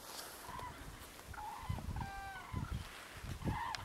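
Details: Bugling calls of common cranes feeding in a wintry field: a few rolling, trumpet-like notes, some overlapping, over low dull thumps and a steady background hiss.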